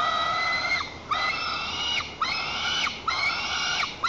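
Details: White-tailed eaglet in its nest at Lower Kama National Park, Tatarstan, July 2023, throwing a tantrum and defending the nest while its mother perches nearby, jumping and flapping; long harmonic screams about one second each, repeated in a steady series.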